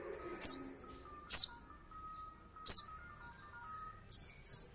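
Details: Lure recording of a sogon (little spiderhunter) intended to provoke rival birds. Loud, high, slurred chips come at uneven intervals, with a faint steady tone and quieter sounds underneath.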